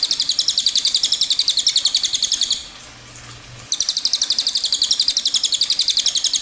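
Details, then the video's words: Rolling cililin song for teaching other songbirds: fast high pulsed trill for two and a half seconds, a quiet gap of about a second, then the rapid trill resumes. "Suara Burung Cililin Gacor Untuk Masteran Burung Kicauan"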